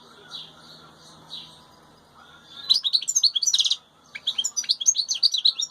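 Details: Wild European goldfinch heard together with its chicks: a few soft, spaced chirps at first, then a dense, lively run of high twittering and trilled notes, with a brief gap before the chattering resumes.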